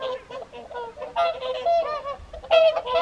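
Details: Whooper swans at WWT Caerlaverock's Folly Pond evening feed in January 2023, giving clear trumpeting honks, some drawn out and slightly rising, in several short loud bursts over three seconds.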